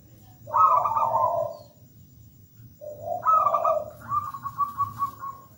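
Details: Local zebra dove in song, recorded as lure audio: a trilled coo phrase, a pause, then a second phrase ending in a long even high trill.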